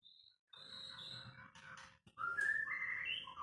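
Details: White-rumped shama song, unedited: after a short high whistle and a pause, a low rumbling noise under mid-pitched whistles, then a louder burst of bright rising and falling whistled notes, with a steady low hum throughout.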